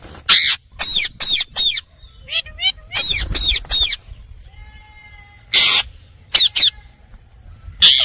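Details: Indian ringneck parakeet mimicking speech: short bursts of high, warbling, word-like syllables with quick pitch bends, separated by brief silences, plus a couple of sharp hissy squawks.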